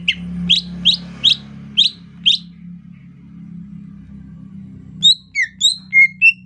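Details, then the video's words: Greater green leafbird in soft, relaxed rainy-season song: six quick, sweeping chips about twice a second, a pause, then a varied run of clear high whistles, over a low hum. "ocehan lemas cucak ijo"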